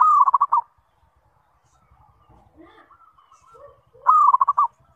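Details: Zebra dove song used as a lure to get other zebra doves to respond and sing regularly. Two quick, pulsed cooing phrases arrive about four seconds apart, with faint softer notes in between.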